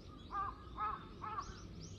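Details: Three crows against a hawk, recorded 21 October 2023; three loud, hoarse, arched caws evenly spaced half a second apart, followed by fainter higher calls from another bird.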